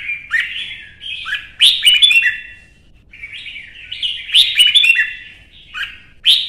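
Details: Kept red-whiskered bulbul from Vietnam singing fiercely in a singing contest, giving clear chattering whistled phrases with sharp accented starts, roughly two bursts separated by a short quiet gap.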